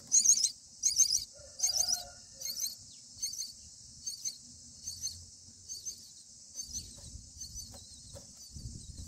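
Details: Common myna chicks on day 9 in the nest, begging while parents arrive to feed them: bursts of shrill, high, raspy chirps, loud at first then softer, repeated roughly every half second, with faint low rustling below.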